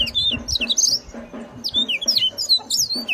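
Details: Mozambique canary, a loud, ringing songbird: quick high sweeping whistled notes and twittering slurs, rising and falling in short bursts, over a low rhythmic thumping background noise.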